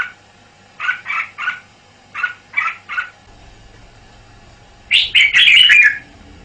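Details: Red-whiskered bulbul, a caged male, giving a series of soft paired chattering notes, then after a pause a loud bubbling warbled song phrase.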